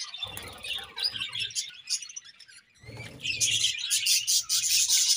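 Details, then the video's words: Budgie pairs chattering with fast, scratchy high chirps over soft low knocks and rustling, the chorus growing louder and denser in the last two seconds. "𝑪𝒖𝒕𝒆 𝑩𝒖𝒅𝒈𝒊𝒆 𝑷𝒂𝒊𝒓𝒔 𝑪𝒉𝒊𝒓𝒑𝒊𝒏𝒈 𝑺𝒐𝒖𝒏𝒅𝒔"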